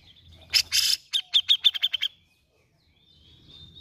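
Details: Grey-cheeked bulbul, played to stir a reluctant bird into song. Harsh double rasp, then a rapid burst of about eight bright chirps, with a faint thin whistle and low background rumble after.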